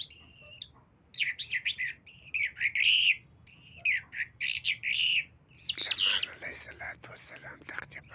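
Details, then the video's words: A talking common hill myna speaks a string of short, clear, word-like phrases, bright and nasal, then runs into a rapid jumble of squeaky chatter. "بهترین لفظ گفتن طرقه سخنگو"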